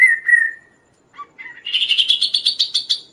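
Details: Lively kaso-kaso song used for tutoring and luring other birds: a steady whistled note, a short pause, a few scattered chips, then a long rapid series of buzzy, chattering notes rising slightly in pitch.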